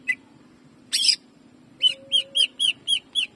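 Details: Greater green leafbird in jamtrok style, a training recording: a single whistle and a harsh burst, then six ringing, evenly spaced whistled shots, with a faint low tone underneath.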